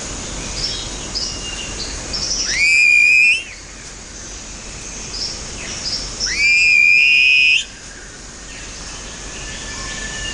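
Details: Southern Cassowary chicks in Australian coastal rainforest in January call anxiously for their father, who ignores them as he drives them away. Two loud whistles about four seconds apart, each sweeping sharply upward then held high for about a second, over faint hiss.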